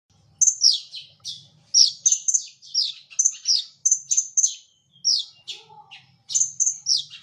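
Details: Brown-throated sunbird, a gacor masteran bird, singing a busy high chattering song of sharp downslurred chips and short trills, in bursts with brief pauses, over a faint low hum.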